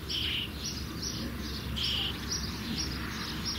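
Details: Common starling young, soon to fledge, call with short, raspy notes; some have a brighter whistle-like tone and come in irregular pairs over a steady background hum and hiss.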